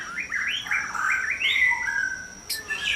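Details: White-rumped shama singing at dawn in a breeding cage: smooth rising and falling whistled phrases of mid pitch over a steady thin high background tone, ending with a sharp high note.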